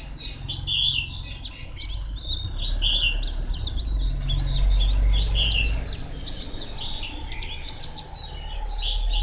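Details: At Phù Yên on 2 October 2015, a White-eye keeps up a long, hurried stream of high chirps and trills, densely packed, over a loud low hum of background noise.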